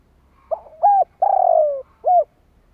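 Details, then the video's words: Spotted dove calling to provoke wild doves (kích bổi). A soft wavering note leads into a short arched coo, then a long, trilled, downward-gliding coo and one more brief arched coo. "Tiếng chim cu gáy kích bổi nhanh nổi | Suara burung tekukur"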